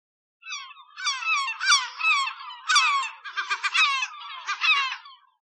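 A gull gives loud, harsh yelping calls in quick laughing bursts.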